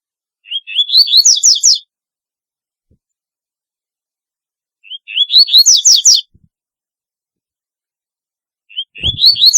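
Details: Double-collared seedeater singing a very distinctive song: three phrases a few seconds apart, each opening with short rising notes, then a fast run of bright, high, downward-sweeping chirps, in otherwise silent surroundings.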